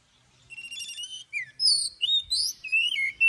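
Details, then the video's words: Oriental magpie-robin singing its morning song during training, in the forest style with long notes: bright whistled phrases, some buzzy, leaping between high and lower pitches in quick varied bursts. "Chòe than hót Giọng Rừng Đi Âm Dài cực hay"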